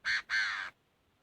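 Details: Chinese francolin giving a fighting song: two loud, harsh, buzzy notes, a short one then a longer one, with a quiet background.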